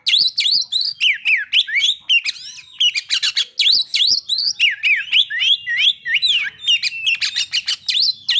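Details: White-rumped shama song used to provoke breeding condition and aggression: rapid, varied whistled phrases with sharp downslurred notes and chattering bursts, densely packed and continuous, mostly high-pitched.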